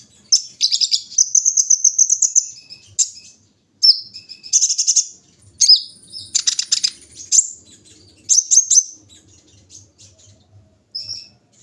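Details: Kolibri ninja sunbird set out in the morning dew, singing a high, rapid twittering song of sharp chips and thin trills, broken by brief pauses, with a long thin whistle near the middle.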